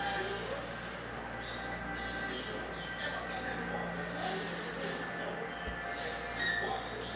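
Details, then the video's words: Pet tanager (sanhaço) singing a lot indoors, a run of thin, squeaky, high chirps and short twittering phrases over a steady low hum and faint room noise. "Meu Sanhaço Cantando Muito"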